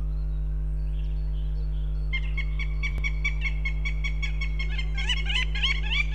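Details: Goshawks at a nest in Riga, Latvia, during a day of calls and mating: a rapid, dense run of harsh repeated notes begins partway through and grows busier, over a strong constant low hum.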